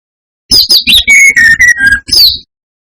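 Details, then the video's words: Lure song of a brown-chested jungle flycatcher, meant to enrage other males: a quick series of varied whistles, high warbled notes dropping to several level, lower whistles, ending with a rising and falling high whistle. "Pancingan SRDC gacor atas bawah || suara bikin ngamuk SRDC lainnya"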